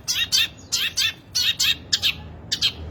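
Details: Erratic, varied song of a long-tailed shrike: short harsh chattering phrases repeated roughly every half second, rasping and buzzy, in a quiet setting.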